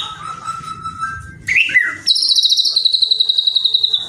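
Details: White-rumped shama song meant to provoke rival shamas into singing: a low steady whistle, a brief burst of slurred notes, then a long, fast, buzzy high trill.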